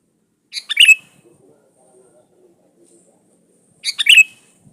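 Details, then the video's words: Sooty-headed bulbul used as a lure, singing vigorously: two quick chattering, liquid phrases about three seconds apart, with soft low background murmurs. "SUARA BURUNG KUTILANG GACOR SATU INI AMPUH BUAT SUARA PANCINGAN"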